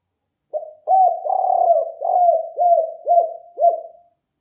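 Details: Lure call of a spotted dove, mellow low coos starting with a short note, then a longer blended coo and four evenly spaced shorter downslurred coos, fading at the end in quiet surroundings.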